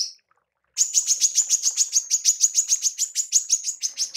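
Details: Female manggar giving a tembakan call used for training songbirds: a fast series of about twenty sharp, high chips, roughly five per second, after a brief silence.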